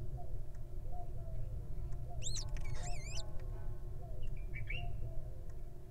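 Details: Newly hatching wild little owl: two quick, squeaky, wavering chirps close together, then a fainter trailing squeak, above a constant low rumbling background.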